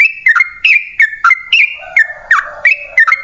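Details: Lure recording of a sooty-headed bulbul singing a long rapid song. Sharp, slurred whistles come about three per second, with one lower warbling note midway.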